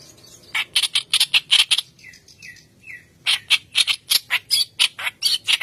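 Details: Lively white-browed kerak basi song used to lure and train young birds: bursts of loud, harsh, rasping chatter, broken by three soft whistled descending notes, then the rapid scratchy chatter resumes.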